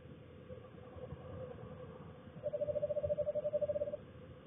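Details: A female Eastern Screech-Owl giving early-winter courting calls in a backyard at evening, a level purring trill of rapid soft hoots lasting about a second and a half, over a low background rumble.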